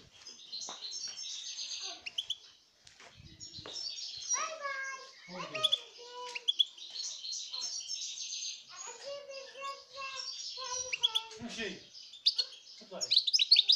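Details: Wild European goldfinch, recorded in 2018, singing a busy, twittering song of rapid high chirps and trills, mixed with clearer lower whistled notes in short repeated runs.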